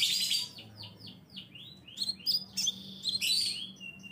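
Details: Scarlet minivet calls used as a lure sound to attract birds: a string of high, clear, downward-sweeping whistled notes, some doubled or slurred, given at irregular short intervals over a faint low hum.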